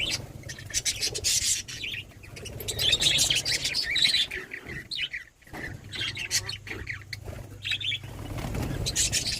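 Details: Budgerigars chattering, with dense high chirps, squawks and warbles overlapping in quick succession, broken by brief pauses, with a low hum underneath.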